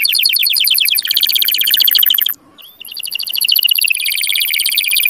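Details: Canary song to stimulate males and rouse females for mating: long fast high trills with a momentary break, resuming as a rolling buzzy series that drifts lower.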